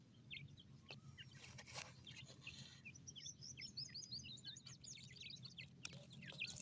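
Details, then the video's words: Francolin (teetar) chicks feeding in a forest give thin, high peeping chirps, sparse at first, then in quick overlapping runs, with low rumbling background noise and soft rustling throughout. "titer chicks voice"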